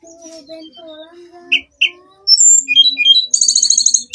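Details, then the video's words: Daily song of a hill blue flycatcher: soft, low whistled tones lead into sharp high chips, rising slurred whistles, and a fast ringing trill at the end. "Kicauan harian Tledekan gunung"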